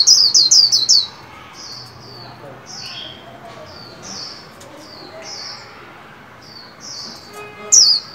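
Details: Caged white-eye being trained to sing for the new year 2021: a short burst of quick high whistled notes, then scattered soft thin calls and a final bright note.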